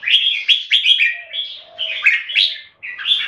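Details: Competition singing by caged red-whiskered bulbuls in Singapore: quick bubbly phrases of sharp, rising and falling whistled notes delivered in a tight series, with a soft low tone behind.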